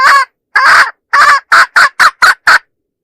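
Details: Hen calling to lure roosters in a 2025 recording. Two longer, rough notes come first, then six rapid short clucks, then silence.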